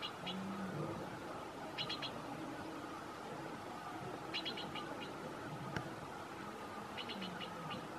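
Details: Streak-breasted scimitar babbler (Pomatorhinus ruficollis), in Nepal while making a nest, giving short bursts of dry, rattling chatter, about one burst every two to three seconds, over a steady rushing background hum.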